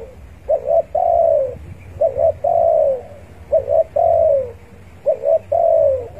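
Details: A vocal spotted dove calls to rivals, a sound used as a lure for trapping. Each phrase is a quick double coo followed by one longer, falling coo, repeated about every second and a half, with a faint hum in the background.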